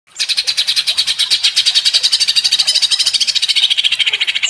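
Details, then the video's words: Greater green leafbird in provoked, agitated ngentrok singing: a fast, even run of harsh, buzzy repeated notes, about eight per second, kept up steadily for over four seconds without a break. "Pancingan Cucak Ijo menjadi emosi & gacor ngentrok"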